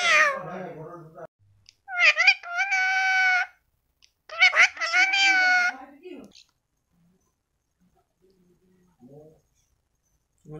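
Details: Indoor talking parrot producing drawn-out, nasal, speech-like phrases with strong harmonics, some sliding upward, followed by quiet and a couple of faint short sounds.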